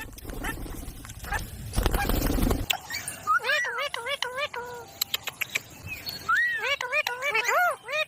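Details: Parrot calling: after a burst of rough noise, a run of wavering, arched harmonic notes repeats quickly, then falls silent and resumes with more looping, warbling calls.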